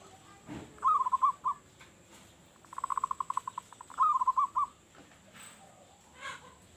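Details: Local Zebra dove lure song heard against steady background noise: a bubbling coo phrase, then a run of rapid pulsed notes, then another bubbling phrase, with soft thuds between.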